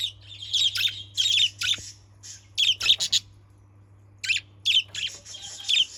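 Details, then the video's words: Budgerigars chattering for use as a lure: rapid bursts of buzzy, scratchy chirps in runs, with short gaps and a low steady hum behind. "Pancingan burung parkit PALING AMPUH"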